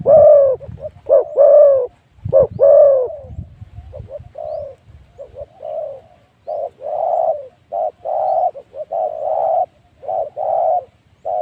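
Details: Spotted dove used as a decoy to lure wild spotted doves at spot 136, Phu Foi Lom, Thailand: low, mellow coos repeated in quick phrases about once a second, some with a rough rolling start.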